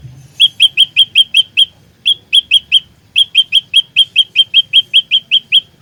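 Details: Lure song of an olive-backed tailorbird for trapping and fighting: loud, high, clipped chips repeated rapidly in three bursts separated by short silences.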